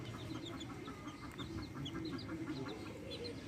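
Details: Backyard hens with chicks: many high, short downslurred chick peeps repeated rapidly throughout, over low soft hen clucking and steady background hum.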